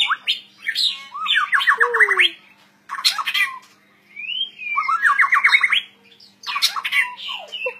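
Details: White-rumped shama in continuous 'gacor' song: phrases of quick rising note ladders mixed with slurred whistles and harsh chatter, repeated in bursts about every three seconds with brief silent gaps; low steady hum beneath.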